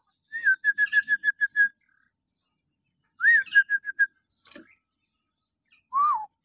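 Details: Common hill myna with shrill morning notes, played to prompt captive mynas: rapid runs of short, even whistled notes, two bursts, ending with one drawn-out falling whistle.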